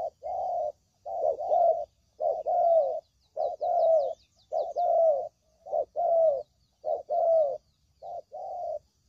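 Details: Spotted dove calls for luring doves into a trap: continuous low raspy cooing in linked phrases with falling endings, roughly one phrase a second, with thin high chirps of other birds behind.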